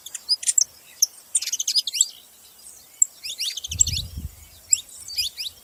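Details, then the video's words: Saffron finches calling in groups of quick chirps: bursts of high sliding notes separated by short pauses, with a brief low rumble midway. "Canarinhos fazendo barulho"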